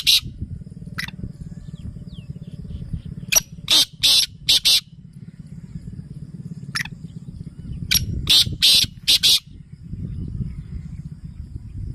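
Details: Black francolin (kala tetar) calling: two bursts of harsh, grating, high notes, about five sharp notes each, separated by several seconds of quiet, over a steady low rumbling hum.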